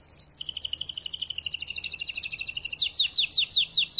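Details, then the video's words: Spanish timbrado canary after the moult, a tutor and breeder: a plain whistle, a doubled rolling trill gathering speed, then slower, separated downward-sweeping notes. "TIMBRADO RODOS"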